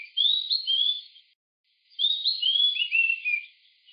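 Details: Oriental magpie-robin in Pench National Park, Madhya Pradesh, India: clear whistled phrases of rising and falling slurred notes, two bursts separated by a short silence, with a filtered, thin sound.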